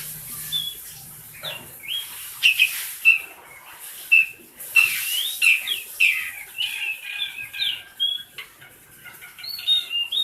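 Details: Caged tame black-collared starling, kept to coax other starlings into song, giving scattered clear whistled notes and scratchy chatter at an uneven pace over a faint hiss, with a low hum early on.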